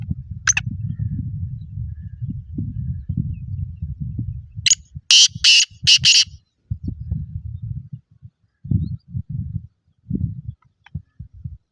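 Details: Black francolin (kala tittar) of good lineage, in a lively mood, giving one harsh, grating phrase of about five rasping notes midway through. A steady low rumble fills the rest, with faint clicks.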